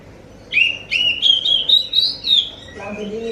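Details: Oriental magpie-robin lure song to make other magpie-robins reply: a run of bright, steady whistles gradually rising in pitch, ending with a lower whistle and a brief low buzzy sound.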